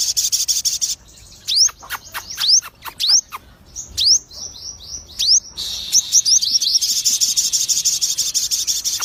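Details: Lutino-coloured crested jay (sogon) in continuous full song with fighting spirit: a high buzzy trill breaks into a series of quick upswept whistles and clicks, then returns to a steady shrill rattling trill.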